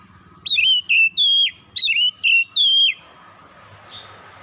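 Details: Six loud whistled notes from an Oriental magpie-robin in the morning, each a clear sliding phrase, evenly spaced over two and a half seconds, followed by quiet background hiss.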